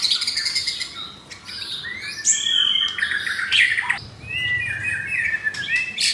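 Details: Coarse-material singing by a caged F4 blorok white-rumped shama, Jakarta: varied whistled slides mixed with sharp clicks and harsh bursts, rising and falling in rapid, uneven phrases.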